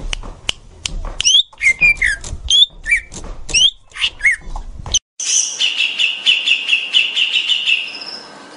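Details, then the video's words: Green leafbird tutor song for young birds: about five seconds of rapid chirps and slurred whistles, then after a short break a steady, buzzy pulsed trill that continues to the end. "Masteran Full!!! Cucak Ijo sangat ampuh untuk bikin burung muda anda gacor ngeplong"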